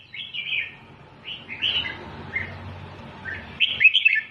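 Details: Red-whiskered bulbul teaching song in 'double' style: scattered soft warbled notes spaced out over several seconds, ending with a louder bubbly burst, against steady low background noise.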